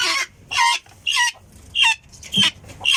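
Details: Short burst of helmeted guineafowl calling: six harsh, scratchy notes about every half second, some with a squeaky rising tone, separated by quiet gaps.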